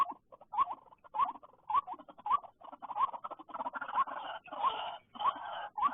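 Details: White-breasted waterhen calling after rain at a trapping site: a steady run of short rising notes about twice a second over a busy crackling, rustling background that grows louder.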